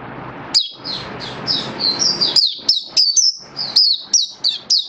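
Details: Oriental white-eye in a cage during a song-display booster test, pouring out a fast sequence of high, thin, sliding whistles that grow sharper and more spaced toward the end, with faint low background noise.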